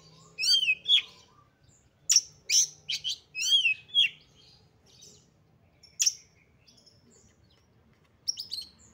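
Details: Female white-rumped shama used to provoke males: clusters of slurred whistles and sharp chirps with long gaps, over a faint low hum.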